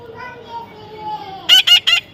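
A young parrot gives three harsh, rasping squawks in quick succession after a person speaks.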